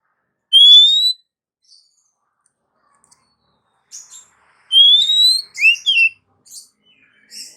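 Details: An Oriental magpie-robin female calls to the male, a popular lure: a lone rising whistle, a quiet gap, then a longer rising whistle with two short bent notes and faint chirps.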